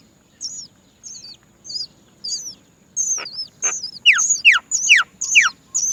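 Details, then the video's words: Many Great myna chicks give high, thin, squeaky begging calls about twice a second, growing louder with sharp down-slurred squeals, waiting to be fed by their mother, who cannot find food. "Many Great myna baby birds are waiting to be fed by their mother"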